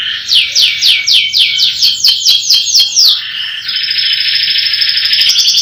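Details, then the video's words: Canary in full roll song: a run of quick, rising-falling whistled sweeps about three per second, then a long continuous high, buzzy rolling trill. "Kicauan kenari roll power full"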